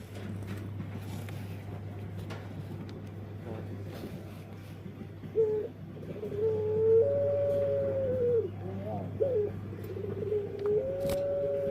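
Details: Burung puter (Barbary dove) with an odd, distinctive voice: after a quiet start, soft sustained cooing tones with short broken notes, over a steady low electrical hum.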